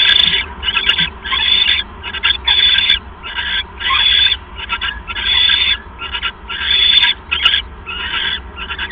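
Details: Owl pair bonding during a visit in January, giving a long run of rough, screechy hissing bursts, each under a second, repeated steadily with brief pauses between them.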